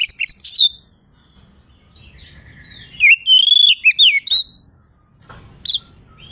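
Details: Oriental magpie-robin (kacer) in open 'ngeplong' song, described as calling a rival: rising and falling whistles, a long sweeping slurred phrase, then a short late burst after silence.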